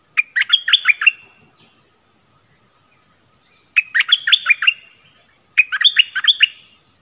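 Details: A decoy bulbul luring wild birds, 16 March 2021, repeats a bright, bubbling chirp phrase three times. Soft regular ticks fill the pauses between phrases.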